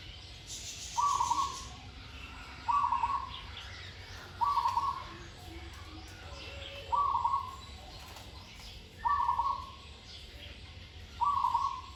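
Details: Zebra dove being trained, giving a pleasing song with well-formed phrasing: six short, rapid, trilled cooing bursts repeated about every two seconds at a steady pace, with light background hum.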